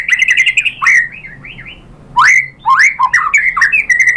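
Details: White-rumped shama lure song used to provoke a reply: loud, varied whistled phrases of quick upward sweeps and clear slurred notes, a short pause, then another burst of rising whistles and chattering notes.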